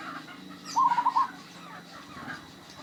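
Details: Zebra dove of a local strain, said to be highly vocal with a rare and unique voice, delivering one brief rattling coo of five or six quick pulsed notes amid low background murmur.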